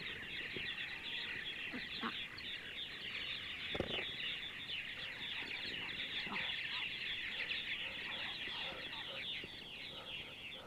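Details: Sunny Sunday morning in central Ohio with purple martins calling: an unbroken wash of rapid, high, gurgling chirps and twitters, plus one sharp knock near the middle.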